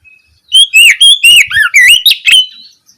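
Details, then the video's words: Oriental magpie-robin singing ngeplong in the afternoon, a lure meant to make other magpie-robins respond: one faint whistle, then about eight loud, clear, slurred notes in quick succession. "Pancingan suara Kacer ngeplong sore hari untuk merangsang Kacer supaya lekas nyaut bunyi"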